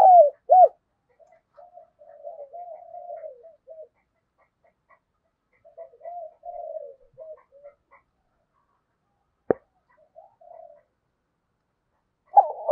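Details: Decoy spotted dove cooing to lure wild birds. A loud, short coo starts the stretch, followed by long quieter passages of soft, mumbled cooing, a single sharp click, and another loud coo at the close.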